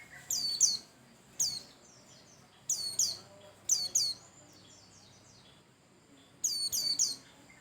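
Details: Bustomi-type white-eye song, used to prompt other birds to sing: bursts of very high, sharply falling whistled sweeps, often doubled, every one to three seconds, with soft trailing twitters and a quiet background.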